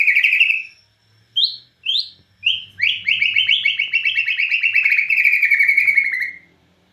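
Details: Bornean white-rumped shama singing hard in cililin style: a loud whistle, three short separate upslurred notes, then a long fast rattling trill of repeated notes lasting about four seconds.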